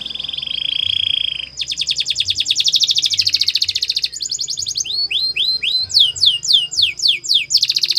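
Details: Canary in Spanish Timbrado style singing a training song: a steady high whistled tone, then a rapid buzzy metallic trill, followed by slower, sharply falling whistled notes repeated about three times a second.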